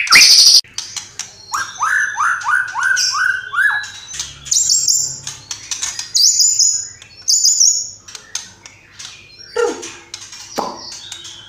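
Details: Extended white-rumped shama performance full of imitated phrases: a harsh buzzy burst, a run of rising whistled notes, high slurred whistles, and scattered chirps and sweeps.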